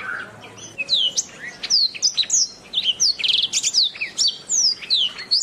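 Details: Canary master song used for training other songbirds: a fast, varied run of high sweeping whistles and chirps, many slurring downward, with a short rapid buzzy trill near the middle and brief gaps between phrases.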